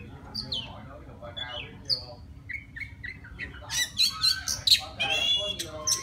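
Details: Wild Oriental magpie-robin calling a female with song: soft scattered whistles, then a burst of loud, rapid, scratchy high notes and sharp whistled accents.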